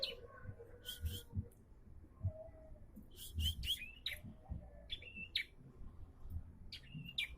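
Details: Bar-winged prinia singing with growing diligence: scattered sharp chirps and short pairs of high notes with a sliding tone, spaced irregularly, over steady low rumble and faint lower sounds.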